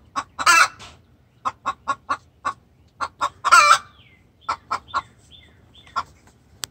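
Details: Distress calls of a hen directed at the rooster, with quick runs of clucks punctuated by two loud rasping squawks and some faint thin chirps in between.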